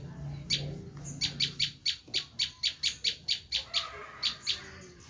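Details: Bar-winged prinia screaming call for luring wild prinias: about a dozen sharp, scratchy high notes at an uneven pace after a low murmur at the start.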